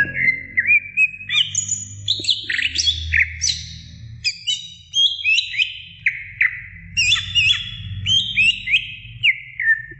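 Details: Female greater green leafbird calling to the male with a varied stream of clear whistled phrases. The phrases slide up and down and jump between pitches, over a soft low hum.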